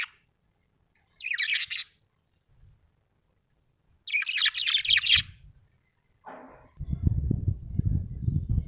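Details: Budgerigar chirping: two bursts of rapid, scratchy, high chirps about three seconds apart, then a short lower note and a stretch of low rumbling handling noise near the end.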